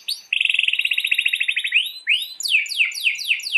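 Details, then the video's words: Canary master song with a long roll, for training canaries that stop singing or are hard to breed: a rapid buzzy trill for nearly two seconds, then upward sweeps and a run of descending slurred notes, about four per second. "MASTERAN KENARI GACOR ROL PANJANG"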